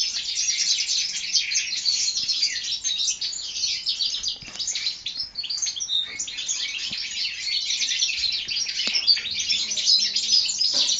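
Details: Young European goldfinch hybrids aged four months, from the 2012 season, pour out an unbroken, busy twittering song, many rapid high chirps and buzzy trills overlapping, with a brief softer dip near the middle.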